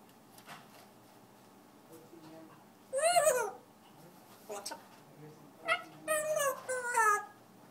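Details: A pet African grey parrot singing indoors: scattered speech-like harmonic whistles and squawks, one loud arched note near three seconds, then a quick run of descending harmonic calls toward the end, over quiet room hum.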